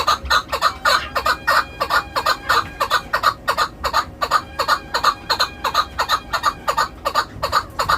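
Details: Hunting chukar calling with rapid, steady chuk notes, about three per second, sharp and clucking, forming a continuous run for eight seconds.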